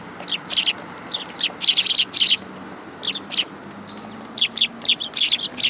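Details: Sparrows gathering for food at a Tenmangu shrine on 19 August 2022 chirp almost continuously: bright, clipped notes in clusters of two to four, with several birds overlapping.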